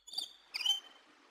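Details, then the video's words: Parrots, happy to be outdoors, give two short squeaky chirps about half a second apart, each bright with stacked overtones; the second trails off into a thin, sliding whistle over a quiet background. "Parrot talk everything||Parrots Happy to be Outdoors"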